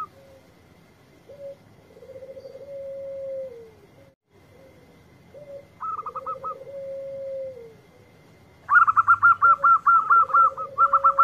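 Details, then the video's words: Local zebra dove (perkutut), praised as a melodious singer, in a loud bout of song. Low drawn-out coos alternate with fast runs of high staccato notes. The runs grow longer and louder toward the end, with about a dozen rapid notes. "Perkutut Lokal Gacor Suara Merdu"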